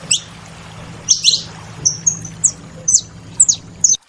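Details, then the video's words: Saffron finches producing crisp, high, downslurred chirps in ones and pairs, roughly every half second, over a faint constant low hum. "Canarinhos da terra fazendo barulho"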